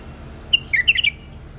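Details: Tame bulbul giving a single brief, bright phrase of quick warbled, bubbling notes over faint low background hum.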